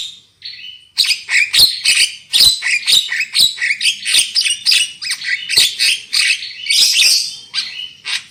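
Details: Lure recording of a Javan myna for prompting loud singing: after one short whistle, a long rapid stream of harsh squawky chatter, roughly three notes per second, fills the rest.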